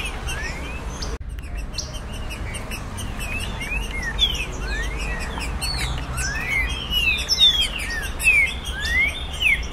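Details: Green-winged saltator (Saltator similis), a tournament-style bird, sings bright, slurred whistles rising and falling in quick, irregular bursts, used to excite other saltators; a low background rumble runs throughout.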